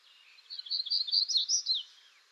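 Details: Black-throated grey warbler of western North America: a high, buzzy phrase of about a dozen rapid wheezy notes lasting just over a second, rising slightly toward the end, in a clean, quiet setting.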